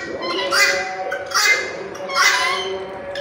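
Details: Red-wattled lapwing giving three loud, harsh calls spaced under a second apart. Each is a shrill, slightly descending note over a faint constant hum.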